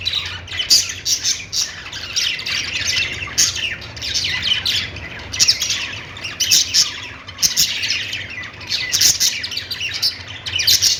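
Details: Busy budgie chatter: repeated harsh squawks and high chirps in bursts about every second, several voices overlapping, and a faint low hum.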